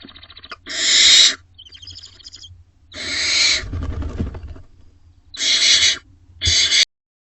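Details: Owlets and adult Barn owls in a nest box between 30 May and 4 June 2025 give a run of four harsh, hissing screeches, each under a second long, separated by short gaps of scratchy shuffling.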